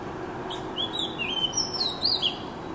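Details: Oriental magpie-robin giving a short run of bright whistled notes, rising and falling slurs ending in quick high upswept accents, clear over a low background hum.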